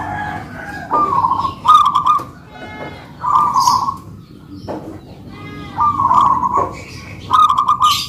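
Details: Local zebra doves, two birds duetting in manggung song. Purring, rolled coos alternate with brief rattling chirps and clicks from other sounds, set against low steady background noise.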